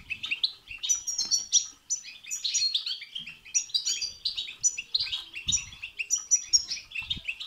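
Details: European goldfinch song of the babtaba and sastasa type, used to stir another goldfinch to sing. A fast, continuous stream of bright twitters and liquid trills with high ringing notes, with a few soft knocks below.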